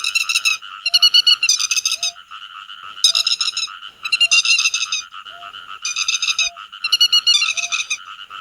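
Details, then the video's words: Grey-headed lapwing flock-gathering calls used as a netting lure: loud bursts of rapid, harsh notes alternating with quieter stretches, and a short, low tone recurring roughly every 0.7 seconds. "Tiếng Chim Te Vàng Gọi Bầy"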